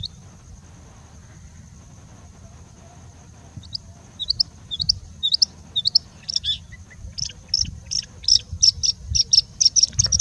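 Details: Singing bushlark giving a mimicry-rich song, silent at first, then high thin notes from about four seconds that build into a fast run of sharp, repeated chips, over a steady low rumble.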